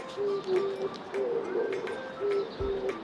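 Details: Pigeon cooing outdoors, heard during a child's fear-of-sounds exercise: a series of short, low, even coos in pairs and runs, with faint higher chirps and some background noise.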